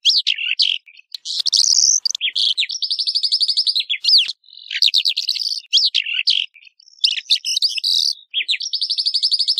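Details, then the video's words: Melanocorypha calandra singing a continuous jumble of high twittering phrases, rapid repeated trill notes alternating with looping whistles and harsh chirps, only short gaps between bursts. "Calandra Lark Song! Calandra Lark Call! Singing! - Calandria Europea Canto!"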